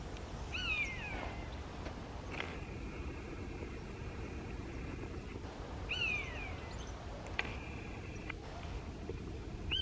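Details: A Common Buzzard (Buteo buteo) in flight gives two high, plaintive, downslurred mewing cries several seconds apart, over a steady low rumble of wind or distant traffic and a faint sustained tone.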